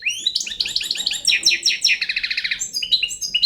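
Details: Young Balkan European goldfinch delivering a rapid string of chirps and a fast, evenly pulsed trill, ending with a few clipped twittering notes.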